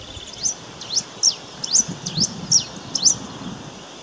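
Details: Black-and-rufous warbling finch giving a run of about six sharp, high, V-shaped notes, each a quick down-and-up sweep, spaced roughly half a second apart over a faint low background hiss.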